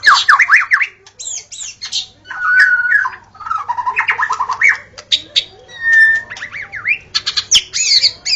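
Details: White-rumped shama in the forest giving lively gacor song. It alternates wavering whistles, steady pure notes, dry rattling chatter and quick high zips, with short pauses between the varied phrases.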